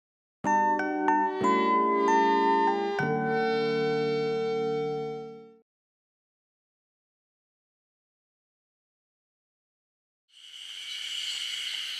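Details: A short chiming mallet-percussion jingle rings out, then silence, then a burst of broad hissing noise with no clear animal voice.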